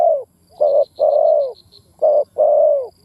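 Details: Spotted dove cooing: a series of low hooted coos, short notes then longer drawn-out ones with a slight fall at the end, with faint high chirping in the background.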